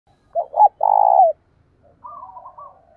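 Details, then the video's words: Spotted dove decoy (lure bird) with a loud 'thổ đồng' style voice, used to provoke rivals into fighting: two short hooting notes then a long, throaty, vibrating coo, trailed by soft, low warbling murmurs; no background noise. "Tiếng chim cu gáy mồi thúc đấu"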